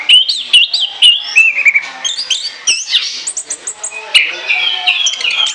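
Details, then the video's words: Chattering Orange-headed thrush song made for use as a lure: quick runs of bouncing whistled notes, crisp high chips, then a loud burst of rich, warbled phrases near the end. "ANIS KEMBANG NGOCEH NGEPLOOONG"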